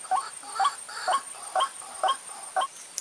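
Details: White-breasted waterhen lure call for trapping birds in the dry season: harsh, croaking two-part notes repeated about every half second, six times in a steady rhythm, over a faint steady high hiss.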